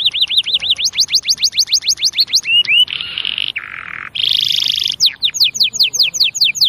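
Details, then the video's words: Varied canary song: looping rising whistles, then a dense buzzy rattle and a lower rolled section, ending in a series of fast slurred whistles, loud and close. "تغريد الكناري بصوت جميل"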